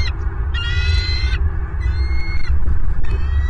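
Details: Bald eagle calls picked up by a nest camera in Southwest Florida on 24 January 2023 at 09:41, with three high, thin, harmonic-rich squeals of under a second each over heavy low rumbling noise.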